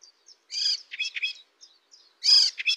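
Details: Cemblek kristal eropa songbird delivering nembak-style bursts: short harsh, rich chattering notes in quick groups, a loud explosive burst near the end, with brief gaps between phrases.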